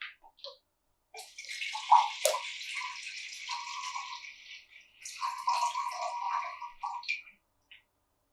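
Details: A pet African grey parrot, offered water, imitates pouring water with a sustained hissy, splashing rush and gurgling low notes, in two bursts of about two seconds each.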